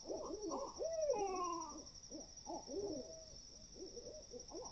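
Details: Great horned owls calling at 4 AM in the woods, a group chattering: rapid, uneven bursts of hoarse hoots and barks, with one long wavering descending screech-like call near the start, over a steady high insect trill.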